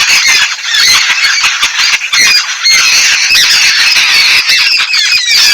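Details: In Sri Lanka, yellow-billed babblers bathing keep up a steady, grating chorus of raspy squeals and short squawks, loud and unbroken throughout.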